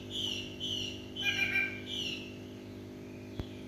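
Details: Chinese hwamei in the evening, giving a few soft, drawn-out whistled notes at a fairly high pitch, separated by short gaps and then falling quiet, with a low steady hum and one sharp click near the end.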